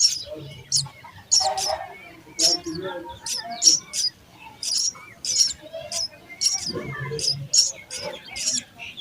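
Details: High, insistent chirping from baby sparrows in their nest at feeding time, notes coming in quick uneven bursts over soft mid-pitched chatter.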